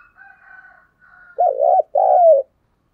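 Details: Decoy spotted dove cooing to rouse wild doves, recorded 2022: faint, thin higher tones lead into two loud, low, hollow coo notes, the second longer and sliding downward, in silence.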